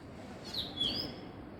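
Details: Female Asian koel calling in the morning: two quick, shrill notes that dip downward, back to back, against faint steady background noise.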